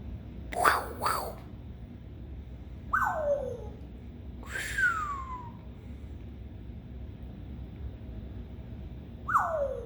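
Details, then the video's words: Pet African grey parrot indoors trying out new sounds: loud downward-sliding whistles, each falling from high to lower pitch, four spaced across the stretch, with a harsher burst near the start over a low room hum. "the African Grey started making some new sounds!"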